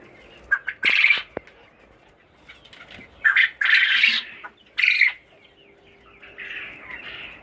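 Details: Common quail on a farm, where males outnumber females: harsh, raspy, high bursts of calling, four or five in quick irregular succession, with soft rustling between them.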